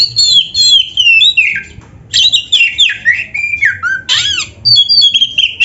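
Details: Oriental magpie-robin in full, rich song used to teach caged birds: dense runs of varied whistles, rasping notes and descending slurs with hardly a pause.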